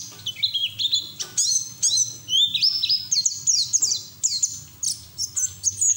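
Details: Ngeriwik song of a white-eye singing hard with beak open, meant as training audio for other white-eyes; very high, sweet whistles with quick upward flicks and trills in dense bursts, low background hum.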